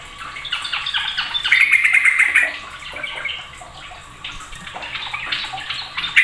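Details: Sooty-headed bulbul (trucuk) singing noisily, its song described as setting off other bulbuls: a busy, jumbled chatter of bright chirps and squawky notes, several birds seemingly overlapping, loudest in the middle then easing off.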